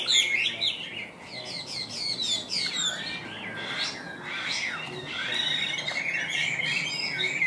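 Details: Caged Tam Hoàng Chinese hwamei giving quick descending whistled phrases followed by longer wavering and rising notes in an unbroken stream.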